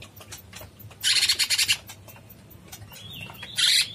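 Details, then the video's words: Cucak cungkok bulbul in full song, a tutor recording of long singing: a loud, harsh, rapid chatter lasting under a second, then a thin rising whistle and another brief scratchy burst. "Suara burung cucak CUNGKOK gacor"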